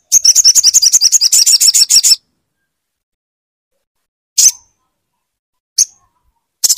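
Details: Caged crimson sunbird, played to prompt a silent bird to sing: a two-second burst of fast, high, buzzy trilling, then silence broken by single sharp high chips.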